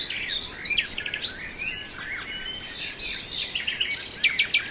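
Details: Nightingale in Brijeste singing varied phrases: buzzy trilled bursts, quick chirps and slurred whistles, ending in a loud stuttering series of repeated notes, other birds audible in the background.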